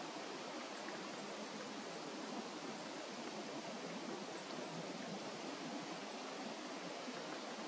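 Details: Steady rushing noise like flowing water fills the whole recording, with no animal voice heard.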